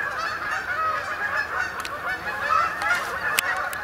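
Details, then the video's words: Honking Canada geese arriving at dusk to roost on a pond in Sapsucker Woods, Ithaca, New York, late October 2017; a dense, steady blend of overlapping nasal calls from many birds. "Canada Goose Arrivals At Sapsucker Woods"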